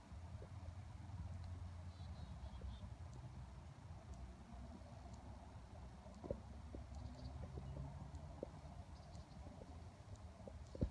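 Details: A Downy woodpecker pecking a tree branch in an Edmonton ravine on a cold autumn day taps with sharp, irregular knocks about once a second over a steady low rumble of distant traffic.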